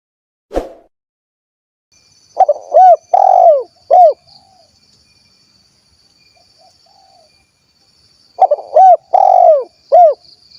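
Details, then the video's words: Spotted dove of the kuk 1 style from Cilacap, Central Java, Indonesia: two bursts of loud, deep, rolling coos that slide downward, separated by a long pause, over a steady high-pitched whine. "SUARA BURUNG TEKUKUR / DERKUKU KUK 1 GACOR"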